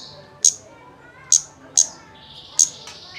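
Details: Lure recording of a kemade, meant to make a bird start singing: four sharp, high, clipped chirps over three seconds, with a faint buzzy trill near the end.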